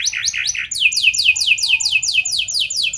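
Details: Canary song used as a lure to make other canaries sing, with rich, long-shooting phrasing: a few warbled notes, then a steady run of falling whistled sweeps repeated about twice per second.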